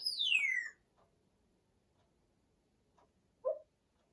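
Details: A 34-year-old female Congo African grey parrot, kept as a pet indoors, chatters while settling to sleep: one clear whistle sliding down steeply, then near silence broken by two soft, short mumbled notes.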